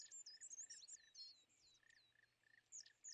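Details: European greenfinch at winter feeders, driving away tits, sparrows and nuthatches; high looping twitters and slurred whistles in a continuous chatter over a repeated lower chip, with soft hiss behind.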